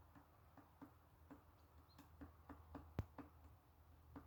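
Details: Great Spotted Woodpecker tapping on a tree while feeding on bark beetles: single sharp knocks at an uneven pace, about two each second, over a low steady hum.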